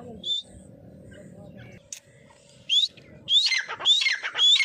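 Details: Grey francolin (dakhni teetar) giving piercing, rising whistled notes in rapid repeated phrases. The calls follow a stretch of low murmuring and background noise.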